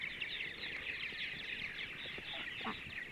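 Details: Purple martins in central Ohio on a bright Sunday morning, giving a steady dense twittering chatter of many overlapping high chirps throughout, with faint scattered lower notes.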